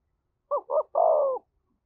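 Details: One coo phrase from a spotted dove provoking a fight, in thổ voice: two short clipped notes, then a sustained hoarse coo lasting about half a second. Clean, with nothing else heard.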